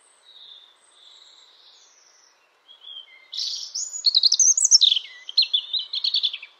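A European robin sings a high, thin phrase: soft opening notes, then a rapid tumbling cascade of sweet, twittering trills and slurred whistles.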